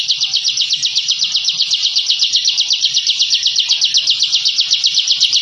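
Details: Bar-winged prinia in a training recording for captive birds, giving the dense ngebren song used to intimidate rivals: an unbroken buzzy high trill of rapid pulses, about four per second, steady and loud throughout.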